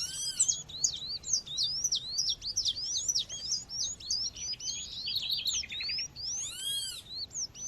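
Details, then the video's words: Recorded with nature sounds to stir male seedeaters, a calling female gives quick, thin rising and falling whistled notes in a busy chatter. A short dry trill and ringing calls from another bird come near the end. "fêmea chamando com som de natureza esquente já seu coleiro ou papa capim"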